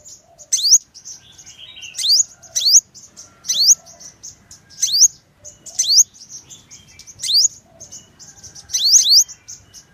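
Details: [1, 'likely', 'song', 'Purple-throated sunbird song: thin, high, sharply rising whistled upslurs repeated roughly every second, mixed with softer high twitters and faint lower notes between them.']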